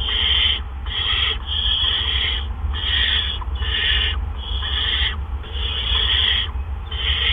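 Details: Barn owl nest, April 17, 2013, near 8 PM, with a double gopher delivery by two adults. Breathy, screechy hisses each last close to a second, separated by short pauses, over a low background hum.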